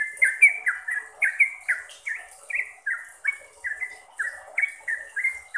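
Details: Sooty-headed bulbul, locally trucuk, song meant for conditioning caged birds: clear, quick whistled notes slurring down, delivered in an even stream of about three per second over the whole stretch.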